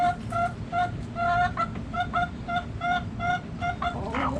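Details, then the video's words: Backyard chicken clucking loudly: clear, ringing, repeated notes in quick uneven bursts, about two to three per second, ending in a harsher squawk over a low rumble. "Backyard Chickens Relaxing Sounds Noises Video Hens Clucking Roosters Crowing!"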